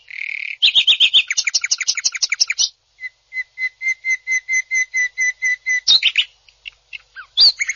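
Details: Greater green leafbird used as a master recording for training songbirds for contests; fast buzzy rattling notes, then a steady series of short clipped whistles repeated about four per second, ending in scattered sharp chips.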